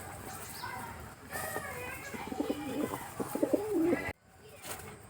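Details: Domestic pigeons, some pairs sitting on eggs, give low, throaty coos in short rolling bursts, with a man speaking nearby.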